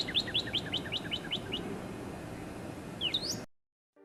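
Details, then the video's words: Northern cardinal singing: a quick run of about eight clear whistles, each slurring sharply downward, then a short pause and one more sweeping slurred whistle, over a low steady background hum before silence. "Chant du Cardinal Northern Cardinal - Sounds"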